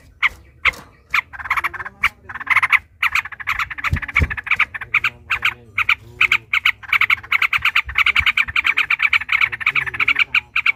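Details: Sooty-headed bulbul giving an extended, agitated fighting song used as a lure for rival bulbuls. Dense rapid chattering and bubbly notes pour out almost without pause, with a couple of low thumps partway through.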